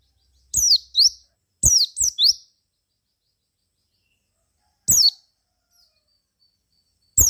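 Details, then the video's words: Javan white-eye song meant to draw replies from other white-eyes: short clusters of two or three sharp, high descending chirps, spaced by several seconds of silence. "KICAU PLECI GACOR RAJA PIKAT INI,JAGONYA BIKIN PLECI LAIN NYAUT GACOR BUKPAR."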